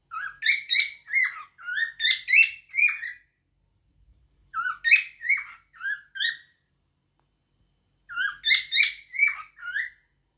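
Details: Song of a cockatiel in three bouts over ten seconds, each a rapid series of short, rising whistles with bright harmonics, separated by pauses of silence.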